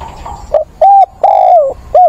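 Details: Caged decoy spotted dove calling for a mate on 17/9, mature 'bổi' voice; close, loud cooing: a short note, an arched coo, a long sustained coo sliding down, then another rising note.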